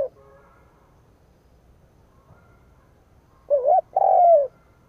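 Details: Decoy spotted dove cooing to provoke rival males: after several quiet seconds, a short wavering coo and then a longer coo that bends downward near the end.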